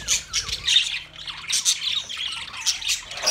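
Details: Budgerigar chorus from twenty pairs, with pulsing bursts of shrill squawks and chirps, some downward-sliding notes, and short dips between louder surges.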